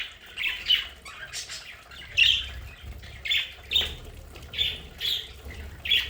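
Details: Budgerigars kept at home in their decorated play area, calling with scratchy chirps and brief squawks repeated about every half to one second, over soft background chatter and a low hum.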